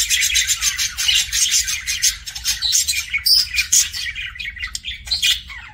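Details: Budgie kept as a pet giving kissing sounds: bright, rapid chirping and clicking chatter with a couple of short high squeaky whistles, delivered in lively bursts over a soft background hum.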